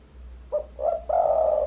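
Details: A single spotted dove phrase from a bird-luring recording: a brief soft note, a second short coo, then a long, full, sustained coo.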